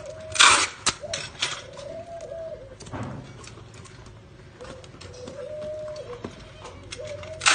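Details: A captive spotted dove in Nam Định, Vietnam, one of a pair, gives low, soft, drawn-out coos, two long phrases with a pause between, among sharp clicks and knocks and faint background noise; recorded 18 April 2022.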